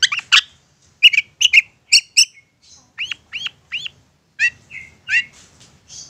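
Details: Long-tailed shrike singing insistently to provoke other shrikes to respond: clusters of harsh chips, then single upslurred whistled notes and short buzzy phrases with gaps between them.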